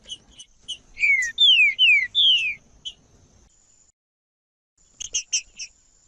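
A green-winged saltator sings loud, clear descending whistles in a quick phrase of three or four slurred notes, then a pause and a short burst of sharp chips.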